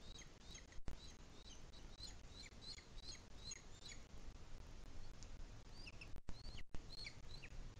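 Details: Booted Eagle at a nest webcam in Sierra de Guadarrama National Park, Madrid, Spain, 2021 breeding season, while an adult feeds its chick: thin high chirps repeated in quick bursts over a steady low rumble, with brief dropouts.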